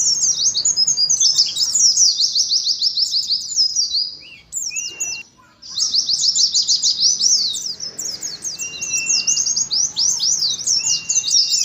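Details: High, hurried warbling of an Oriental white-eye in ngalas style, from a caged colony. Dense chattering runs last several seconds and break once around the midpoint. Occasional thin, steady whistles sound beneath.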